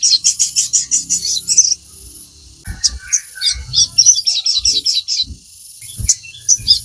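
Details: Crimson sunbird singing energetically, used as a lure to train captive birds to sing: rapid bursts of very high, thin, twittering notes in quick runs, with a pause mid-way and low thumping handling noises.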